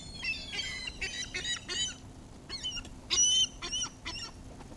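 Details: A crowd of seagulls being fed, filmed in 360 view, squabbling in dense overlapping screeches and yelping cries that come in quick bursts, with one louder drawn-out squeal near the end.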